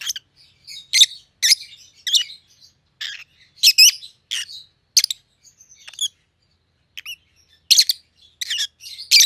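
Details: Rosy-faced lovebirds, white-headed opaline pallid and green opaline siblings kept as pets, trading sharp shrill chirps in irregular clusters, with brief quiet gaps and some thin rising squeaks between louder bursts.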